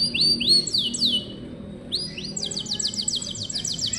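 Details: Canary song meant to spark singing in young or quiet canaries. A few sweeping whistles, a short pause, then a rapid series of sharp repeated buzzy notes.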